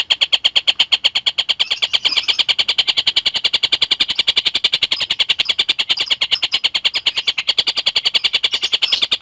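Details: Collared kingfisher singing actively, recorded as tutor song for lovebirds: a long unbroken run of harsh, clipped notes repeated very fast, about two per second, steady high pitch with slight buzz, faint room noise.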